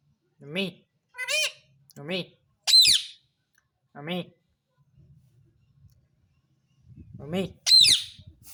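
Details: Talking pet parrot said to say "mummy papa": short, nasal, speech-like syllables with bright overtones, in separate bursts about a second apart, then a pause and two more syllables; quiet room.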